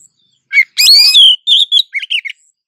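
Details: Female Oriental magpie-robin in breeding condition calling to lure a male, answering back and forth: a harsh rising note, then a long loud ringing whistled phrase, followed by short clipped chirps, clean and close with no other sounds.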